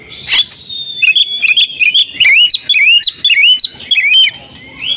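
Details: Female oriental magpie-robin kept at home singing: a fast, varied run of clear whistled notes, with rising and falling slurs and short sharp chips following one another almost without pause, loud and close.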